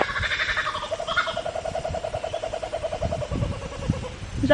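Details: Kookaburra on Magnetic Island, Australia, laughing: a fast run of rhythmic, hooting chuckles that rise and fall over several seconds, with a woman's voice and some wind in the background.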